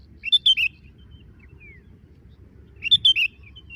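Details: Sooty-headed bulbul drinking and calling: a bright three-note chirped phrase, a soft descending whistle, then the same chirped phrase repeated about two and a half seconds later.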